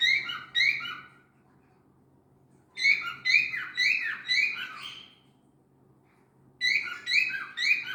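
A cockatiel gives bursts of loud, shrill, harmonic chirps, repeated like an alarm clock ringing.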